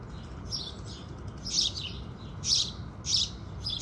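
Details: House sparrows at dawn: a few bright chirps, the last three louder and spaced almost a second apart, with softer calls underneath.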